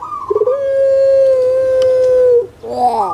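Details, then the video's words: Brief sample of a Javanese puter pelung collared dove: a short rising note leads into a sustained, even-pitched coo of nearly two seconds, followed by a wavering upward flourish. "Pancingan AMPUH UNTUK PUTER PELUNG YG MALAS BERBUNyi"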